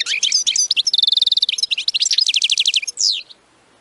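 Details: European goldfinch 'batbata' twittering, used to spur singing: jangling chips lead into a steady rapid trill, then runs of quick repeated notes and a final buzzy descending flourish.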